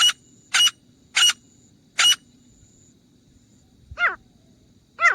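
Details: Grey francolin hunting sound: four clipped high notes about half a second apart, then a pause, then two thin, falling, strained notes.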